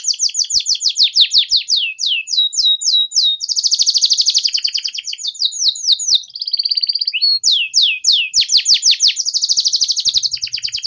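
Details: Canary tutor song for young canaries learning the ngeriwik sound: a loud, continuous run of rapid descending trills and buzzy rolls, changing speed between sections, with a brief steady whistle in the middle.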